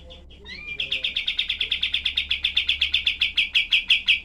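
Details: Sharp shooting-style 'tembak' phrase from a cream-vented bulbul, a tight, rough song used to train other songbirds. After a few soft rising whistles, loud piercing chips repeat rapidly and evenly for several seconds.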